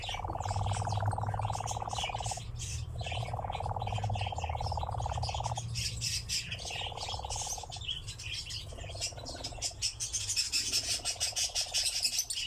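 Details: Nightjar churring from a ravine in long rattling bouts of about two seconds separated by short gaps, shorter and lower bursts later, with low rumble and busy chirping birds around.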